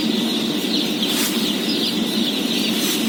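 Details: Dense, unbroken high peeping of day-old chickens being fed, a flock of about 17,000, layered over a low continuous rumble.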